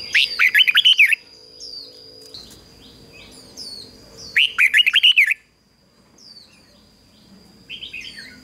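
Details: Decoy red-whiskered bulbul singing to attract wild birds and get them singing: two loud bursts of rapid, liquid warbled notes about three seconds apart, separated by soft high chirps, with a faint steady high whine.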